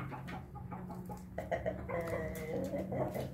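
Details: Bangkok hen crowing with a laugh after drinking: soft clucks lead into a sustained, tonal, slightly pulsing call lasting over a second, against a low droning hum.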